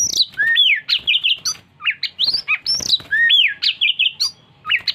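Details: Energetic oriental magpie-robin song of sweet high whistles, downslurred notes and rapid chattering trills delivered in rolling, closely spaced phrases, with a soft low hum underneath.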